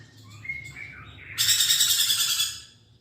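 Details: Lorikeet first gives several clear whistled notes stepping up and down, then breaks into a second of loud, harsh, buzzy pulsed screeching that fades out.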